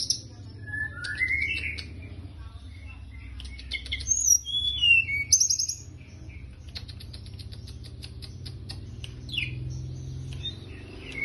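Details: Sunda bush warbler in active song, giving rising whistled slurs and quick high chirps in short bursts, then sparser sharp clicks over a constant low background hum.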